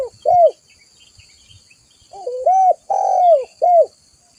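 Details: Lure and master call of a spotted dove (tekukur) in full voice: two short coos, a quiet gap, then a rolling lead-in, a long swelling coo and a final rounded note, all mellow and hollow.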